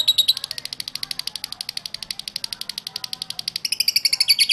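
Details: Lovebird song used as a lure for other lovebirds: a continuous, rapid, machine-like stream of shrill chattering notes, about ten per second, growing harsher and louder near the end.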